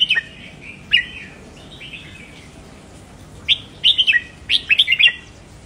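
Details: Song of a red-whiskered bulbul, played to excite caged bulbuls: clear whistled notes, a lone chirp, then two rapid bubbling phrases of four or five notes each near the end.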